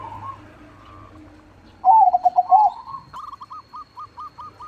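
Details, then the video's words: Crossbred zebra dove with a big voice and frequent song gives a loud low cooing phrase of five quick pulses. A string of short, evenly spaced softer coos from another dove follows. "PERKUTUT CROSSING GACOR SUARA BESAR"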